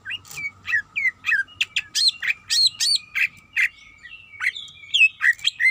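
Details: Female greater green leafbird calling for a mate: a rapid, steady string of sharp chirps and twisting whistled notes, several per second without a break, with a faint continuous hum behind.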